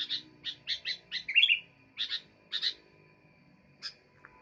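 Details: Sooty-headed bulbul chirping rapidly, a quick string of bright notes peaking in one loud slurred warble, then slowing to a few spaced chips before falling quiet.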